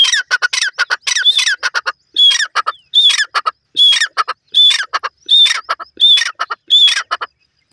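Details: Grey francolin, locally called teetar, calling loudly. Harsh, ringing, strongly accented notes come in grouped phrases repeated about every three-quarters of a second, set against a quiet background.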